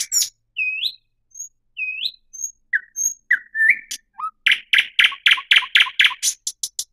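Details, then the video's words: Varied thrush nightingale song: paired rising whistles and thin high notes, short slurred phrases, then a long run of loud, hard, rapidly repeated chock notes accelerating to the end. "صوت جديد للعندليب الشائع [تغريد|نداء] New Sound of Thrush Nightingale [Song|Call]"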